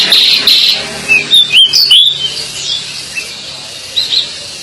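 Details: Pied bushchat (decu) in full voice: a scratchy, high chatter opening into several quick, sweet whistled slurs, then softer scattered chirps toward the end.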